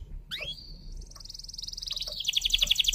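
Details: Singing canary, used to stimulate canaries that have stopped singing, delivers a rising whistle into a long high rolling trill that grows louder and faster toward the end, over a faint low hum.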